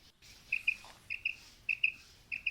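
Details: Quail (batair), part of a female and male calling mix: faint, high, clipped notes in pairs, repeated about every half second, over steady background hiss.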